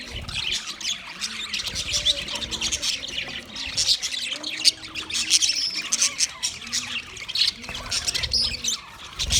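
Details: A group of white male budgies chattering in mating: crowded high chirps, clicks and harsh squawks blending into a steady warble, with occasional sharper squeaks standing out.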